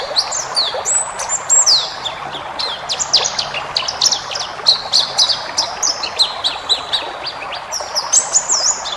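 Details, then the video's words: Energetic white-eye twittering meant as a training model for caged birds: rapid bright chirps, downslurred whistles and trills following one another densely throughout, with a light hiss underneath. "masteran burung pleci ngalas full isian"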